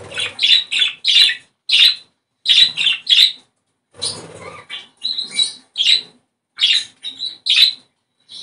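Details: Budgerigar song to encourage breeding: rapid bursts of bright chirps and squeaky chatter in short phrases, separated by brief pauses.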